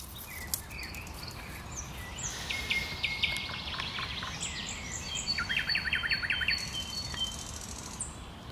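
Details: Common nightingale singing in bushes: sharp high notes, then a flat whistled phrase and a fast repeated rattling series of notes near the end, over steady background hiss.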